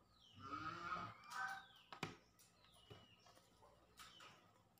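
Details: A pet talking crested myna in the Philippines, being bathed by its owner, gives a harsh, speech-like phrase lasting about a second, then sharp clicks and splashing sounds with a few short chirps.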